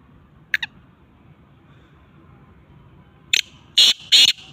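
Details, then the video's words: Black francolin (kala teetar), recorded on a cold 21 December 2022, with two faint short notes at first, then a loud grating run of three harsh notes closing the phrase. "black francolins voice |teetar ki awaz |kala teetar awaz"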